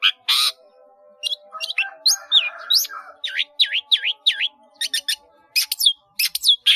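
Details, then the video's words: Caged long-tailed shrike, called cendet in Indonesia, singing a chatty 'gacor' song rich in fill-in phrases (isian), meant for training birds: sharp chirps, then four matching dipping whistled swoops in a row, then clipped high notes. "CENDET GACOR ISIAN BANYAK"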